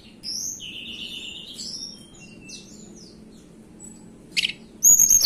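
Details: Blue flycatcher, known locally as Tledekan Gunung, from the mountains of Banten and West Java, singing high, thin whistled phrases that slide and waver, a pause, then sharp loud bursts near the end over a soft low hum.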